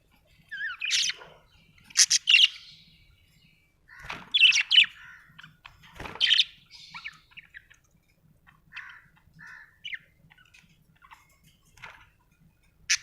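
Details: Budgie chirping in lively bursts: sharp high squawky chirps clustered in groups, then softer scattered tweets and short warbled notes toward the end, roughly three calls per second at busiest.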